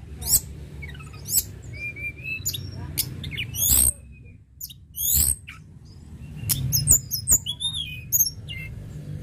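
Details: Mountain tledekan in lively song to encourage birds to sing: fast downward-sweeping high notes and short whistles, punctuated by loud broadband rasps and clicks over a low hum.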